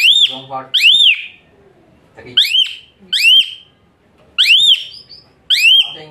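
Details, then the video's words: High, harsh Asian pied starling song meant for training other birds: loud arched whistles with rough overtones, given singly or in pairs with pauses of about a second between. "TEMBAKAN KASAR Suara Melengking Tinggi Kicau Jalak Suren Gacor"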